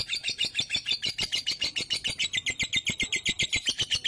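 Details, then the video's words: Lovebird 'ngunci' prompt song meant to coax a lazy bird into singing: a fast, even chatter of high, harsh pulses repeating several times a second for the whole stretch. "PANCINGAN LOVEBIRD MALAS NGUNCI"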